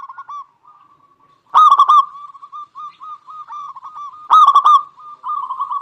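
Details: Zebra dove of a local strain giving its lure song for stirring other doves: a steady string of soft, quick coos broken by two loud, rough, rattling phrases.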